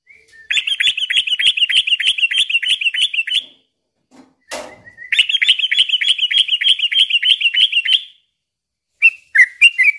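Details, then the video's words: Yellow-vented bulbul in steady song, used as a lure to provoke and stimulate other birds. Two long rapid chattering trills are split by a pause and a sharp knock, followed by a few short bubbly phrases. "suara trucukan gacor ini ampuh bikin pancingan burung trucuk"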